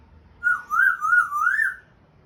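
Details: Pet African grey parrot attempting speech, giving a smooth wavering whistle in three or four undulating pulses that rise slightly at the close, with a quiet indoor background.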